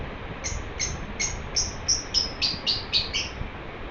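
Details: A happy pet lovebird gives a steady run of about ten crisp, high chirps, speeding up and growing louder and fuller toward the end, over faint background hum.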